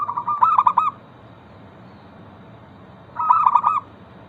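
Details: Zebra dove, local bird, singing as a lure for others: two bursts of fast, clipped cooing notes running together, about three seconds apart, with quiet hum between.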